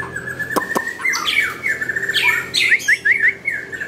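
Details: Nakhon Pathom white-rumped shama delivering a quick mix of whistles and slurred notes, ending in a rapid run of repeated upward-flicking notes, with two sharp clicks early on.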